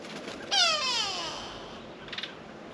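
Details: Grey go-away-bird (grey lourie, Corythaixoides concolor) of southern African woodland and savanna gives a single loud, nasal, drawn-out wail falling in pitch over about a second, then a few faint clicks in quiet surroundings.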